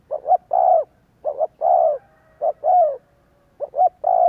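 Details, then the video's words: Fast series of spotted dove coos used as a lure to prompt cooing: four phrases in about four seconds, each two brief hoots followed by a broad, falling final note. "Tiếng chim cu kích bổi Hiệu quả /Cu gáy kích bổi/ Chim cu gáy kích bổi 100% mở gáy liền"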